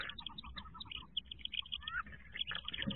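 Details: Wood duck ducklings inside a nest box in 2023, around jump day, with a green heron hunting nearby: crowded, overlapping chorus of short, high, slightly downslurred peeps, several each second, over a low background rumble.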